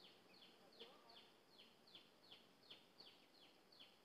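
A cream-vented bulbul gives a steady run of high, quick down-slurred notes, about two or three per second, over a faint background hiss.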